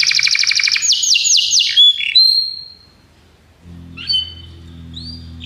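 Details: Belgian canary singing for a canary training recording: two seconds of fast buzzy rolls and descending swept notes, then a pause with a low hum underneath, followed by a few brief whistled phrases.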